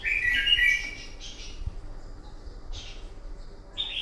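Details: Morning fighting song of a red-whiskered bulbul, played to train a bird: a loud warbled opening phrase followed by softer scattered whistled notes over steady low background hum.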